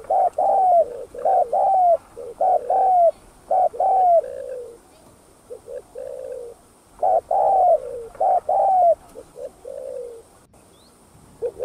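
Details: Spotted dove cooing to lure other doves: repeated phrases of low, hollow coos around mid pitch, each with a slurred falling tail, in several bursts with short pauses, over faint background hiss.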